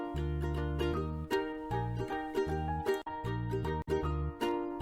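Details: Plucked string music with steady low bass notes and bright chords, and no animal sounds.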